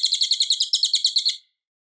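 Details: Cililin captured cleanly as a master for training white-rumped shamas: a brisk trill of around fourteen high, sharp chirps lasting under one and a half seconds, then silence.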